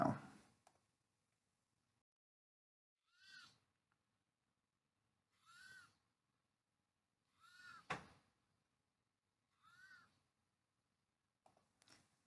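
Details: Spotted Towhee giving its harsh, scolding mew call note, used by both male and female: an arched nasal note repeated about every two seconds, five times in all, with soft knocks and thumps in between.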